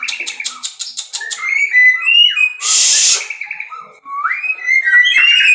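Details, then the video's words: White-rumped shama bred in captivity opens with rapid ticking notes, moves into smooth whistles, lets out a broad harsh burst, then resumes with rising fluty phrases. "muray batu suara mantap"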